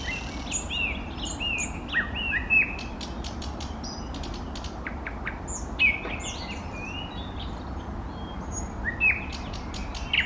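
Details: Varied song of an eastern nightingale: scattered whistled slurs, short high clicks and brief flourishes spaced by pauses across ten seconds, over a steady low rumble.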